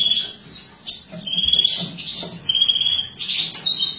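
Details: A female goldfinch of a mutated captive-bred line is embuchando (feeding). She gives rapid high tinkling twitters mixed with sustained thin whistled notes, delivered in overlapping phrases.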